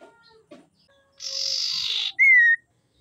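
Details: Female common iora used to provoke males: a few soft chips, then a buzzy, hissing note of about a second, followed by a loud, pure whistle that falls slightly.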